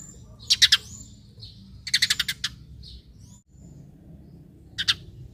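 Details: Eurasian tree sparrow calling to lure other sparrows into calling back: sharp bright chirps, a pair, then a quick run of about six, then a lone double chirp, with faint softer notes between.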